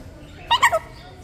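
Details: Captive macaw in a pet store utters three quick, hoarse, voice-like syllables in under half a second, mimicking human speech, over a quiet room hum.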